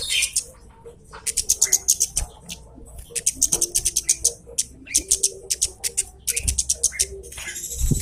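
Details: Javan cochoa lure call to provoke a rival: rapid volleys of piercing, high 'citt' notes, several per second, in short repeated bursts with brief gaps, accompanied by low hum and faint background sounds.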